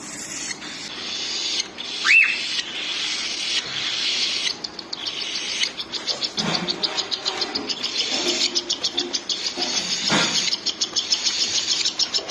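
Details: Cockatiel mother feeding her chicks: after a brief rising whistle and some rustling, the young build into fast, insistent high ticking chirps, about three a second, growing louder toward the end over a background hiss.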